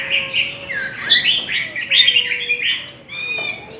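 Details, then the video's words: Chinese hwamei singing in a contest, delivering rich, fast whistled and slurred notes in quick succession, closing with a harsh buzzy burst; a second, lower sliding whistle runs underneath. "Chim họa mi hót đấu"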